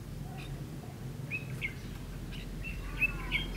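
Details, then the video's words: Red-whiskered bulbul singing at a bulbul trap on 9 September 2016, a decoy bird calling in wild birds; short whistled, warbling notes come in scattered bursts over a steady low rumble of background noise. "Bẫy chào mào"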